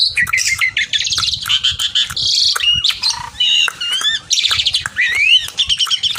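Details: Javan pied starling singing vigorously while calling a rival: rapid mix of harsh squawking rasps, rattling buzzy bursts, rising and falling whistles and short chattering notes, delivered almost without pause.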